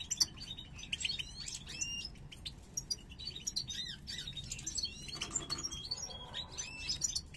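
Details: Caged European goldfinch pair, parva form from 2022, entering breeding condition and stretching their heads; dense twittering and slurred high notes run continuously, rising and falling chirps with buzzy fragments, light background hum.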